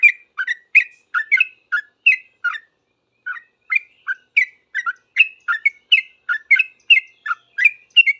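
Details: Sooty-headed bulbul singing back at other bulbuls with rapid chirpy phrases, a brief pause midway, then resuming the quick bouncing notes at about three per second.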